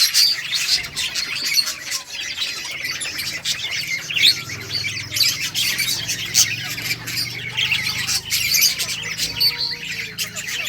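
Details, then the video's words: Colony of colourful budgies chirping as they play, an unbroken scratchy chatter of squawks and twitters from many birds, with a low steady hum beneath. "budgies beautiful colors playing and chirping sounds for lonely birds"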